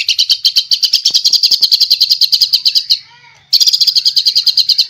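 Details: White-rumped shama, a caged fighter bird with a rich repertoire, giving a rapid dry rattling chatter of evenly repeated notes, briefly pausing near the middle before the chatter resumes.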